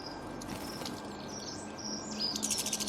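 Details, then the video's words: Songbird warbling in a run of thin, high whistled phrases that build into a louder trill near the end, with faint background noise. "أصوات العصافير تغرد"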